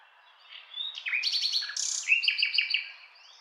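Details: Nightingale singing: a varied phrase of whistled and slurred notes, rising sweeps and quick repeated chips, moving between pitches with a bright high trill near the end, over a quiet background.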